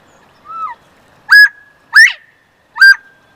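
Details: Pair of Northern Bobwhite quail: a soft rising whistle, then three loud, ringing whistled notes about every three-quarters of a second, so close they sound harsh.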